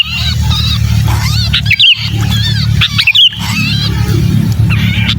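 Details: Sooty-headed bulbul in distress, a pinched 'kejepit' lure call for hard-to-lure bulbuls: continuous scratchy, strained calling with two short piercing whistles, heavily overlaid by loud low droning noise.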